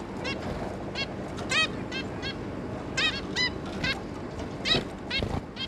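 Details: Adult zebra finch pair and their three young, 11 May 2022: clipped, arched, nasal toots scattered through the clip, a tight cluster near the three-second mark, set against a constant low rumble.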